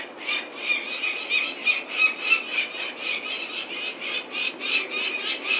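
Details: Peregrine falcon at Venlo in the Netherlands on 21 May 2024, while the chicks are fetched for ringing, uttering a continuous series of rough, scratchy notes about three per second, rising and falling in loudness.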